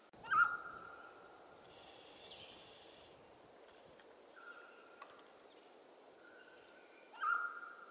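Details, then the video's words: Two strong calls of a mountain quail open and close this stretch, each an abrupt note trailing into a sustained even tone; weaker distant calls and thin higher bird notes fill the gap over a quiet natural background. "Mountain Quail Call"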